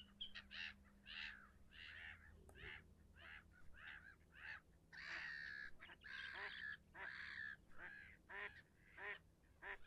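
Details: Leucistic red-throated diver (loon) calling with a run of harsh, goose-like honks, some overlapping, in irregular bursts over a low steady hum.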